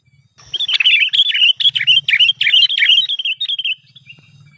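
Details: A wild crested bulbul delivers a rapid, jumbled string of sweet chirps and short warbled notes for about three seconds before fading, with a quiet low hum underneath.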